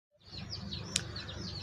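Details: One-day-old Sonali chicks peeping: a dense overlapping chorus of high, short, downward-sweeping peeps over low rumbling background noise, with one sharp click near the middle.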